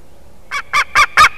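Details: White-tailed eagle at the Durbe nest on 13 August, fourth day of the eaglet there, live nest broadcast: after a quiet start, five short, harsh, clipped notes in quick even succession, each louder than the last.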